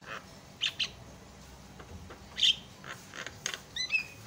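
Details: Javan myna singing to trigger other mynas: scattered harsh chips and one loud squeaky note, ending with a short fluttering whistled phrase, with pauses between.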